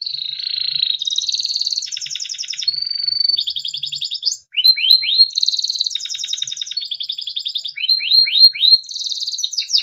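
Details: Timbrado canary, a small yellow bird, singing for training: a long varied high song of rapid trills, rattling buzzy rolls and sustained whistled notes, changing phrase every second or two, with no other sounds.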